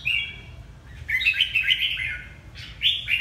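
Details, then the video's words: Quick whistled warbles from a Red-whiskered bulbul of Hà Tĩnh, Vietnam: a short note, then a tumbling run of bright chirps, then another burst. "Chào mào Hà Tĩnh bộ đẹp"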